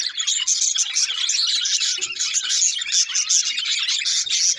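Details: Budgies keep up a thick, unbroken stream of shrill tweets and warbling trills, loud throughout.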